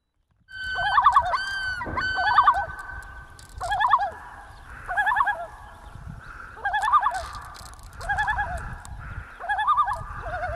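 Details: A common loon in northern Ontario, from a family disturbed by other loons arriving, gives quavering, laughing tremolo bursts, rapid wavering runs repeated every one to two seconds over soft hiss.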